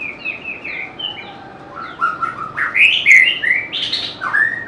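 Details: White-rumped shama pouring out a rapid, varied whistled song. Quick slurred notes open the phrase, then louder, richer bursts climb and fall. Some phrases end in bright, ringing accents. The bird is close and clear, with no other voices heard.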